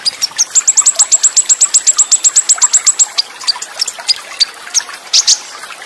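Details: Olive-backed sunbird masteran song with full fill, Cililin shot style, fast rolls and tight pauses: a fast run of about twenty sharp, high, evenly repeated notes, then scattered chirps, over trickling water.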